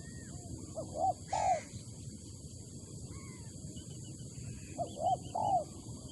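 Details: Spotted dove from Malaysia: a short coo followed by a longer, slightly arched coo, the pair given twice across six seconds over steady low background noise and faint chirps from other birds.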